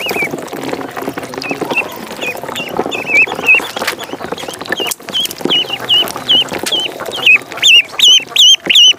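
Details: Peeps from a duckling in the pond: thin, bent high notes in a steady quick series, growing louder and sharper toward the end over a constant rustling background.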